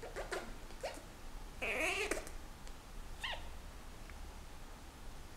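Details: Indoors, a Senegal parrot courting its owner's hand during breeding season: a few clicks, a loud buzzy wavering squawk, then a short nasal chirp, over low hum.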